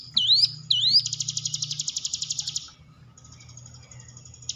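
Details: Two swooping rising whistles lead into a fast buzzy trill that fades out, followed by a faint high buzz. This hill prinia sound serves as a lure for caged birds lacking confidence.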